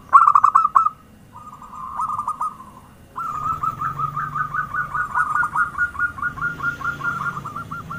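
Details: Zebra dove (perkutut) in full voice, used as a lure sound for attracting other doves: a loud rolling coo, then a softer trill, then a long series of quick staccato notes repeated rapidly, with a low hum beneath.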